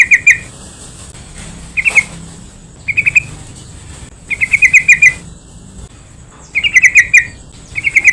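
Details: Yellow-vented bulbul playback for provoking other bulbuls and training quiet birds: short bubbly bursts of two to eight quick notes, spaced irregularly over a steady faint hiss.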